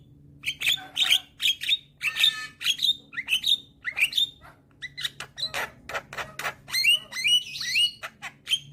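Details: Young Javan myna in energetic head-bobbing song: continuous quick clicks, rasping chatter and short squeaky whistles, some rising, strung together in irregular rapid bursts.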